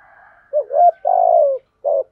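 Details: Spotted dove giving a calling coo: a wavering low note, then a long, steady, burry coo that slowly sinks and a short final hoot. A faint, soft hum is heard at the start.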